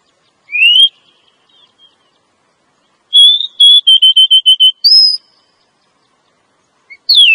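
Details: A female Oriental magpie-robin calling to draw in a male: a single rising whistle, a long pause, then a fast row of short level whistled notes, one higher drawn-out whistle, and a final sharply falling note.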